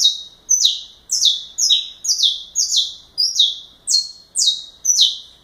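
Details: Saffron finch pouring out galador-style song: crisp high notes dropping in pitch, some stacked in pairs, repeated at a brisk, slightly uneven pace.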